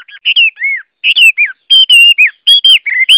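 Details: Chinese hwamei singing loud, clear whistled phrases, mostly short upslurred and downslurred notes that alternate with longer level whistles in a rapid, varied sequence.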